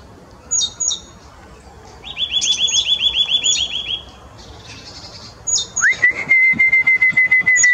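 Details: Nuthatch calling: a few thin, high paired notes, then a rapid run of about a dozen rising piping notes, more high squeaks, and finally an upswept whistle held steady with a fast pulsing texture.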